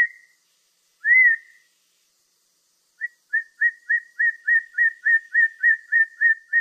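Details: Whistled song of a Black-throated laughingthrush: a long rising note, a pause, then a fast even run of about a dozen short, bright, repeated whistles. No other sounds intrude.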